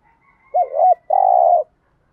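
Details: Spotted dove kept as a decoy, giving a single low coo phrase from a set of thúc gù and gáy gọi styles. A wavering two-part note leads into a sustained buzzy, purring coo, with a faint high whistle-like tone behind.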